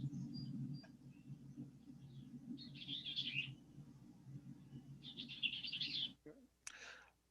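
Bell's Vireo gives two quick, run-together phrases, each rising then falling in a rapid scratchy chatter about two seconds apart, over a steady low hum.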